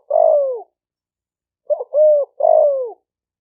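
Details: Spotted dove cooing, a recording meant to provoke wild males and females into fighting: three rich, low coos, the first and last long and gently falling, the middle one split into short broken notes, against a silent background.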